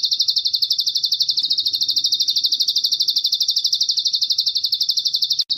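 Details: Lively bar-winged prinia song, called ciblek gunung, with cililin song filling for training cage birds: fast, bright, high-pitched notes repeated about four times a second, evenly spaced, ending in a short break.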